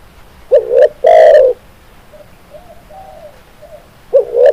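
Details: Spotted dove song meant for training birds to sing actively: one loud phrase of two quick coos and a long rolling coo, soft distant coos answering between, then the next phrase beginning.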